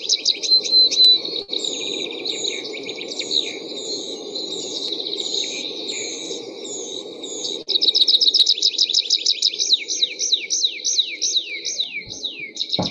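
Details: Tree pipit, a summer migrant, singing loud quick runs of repeated sharp notes, then a series of drawn-out, slurred descending 'seea' notes, a rather flamboyant song, over a steady low hum.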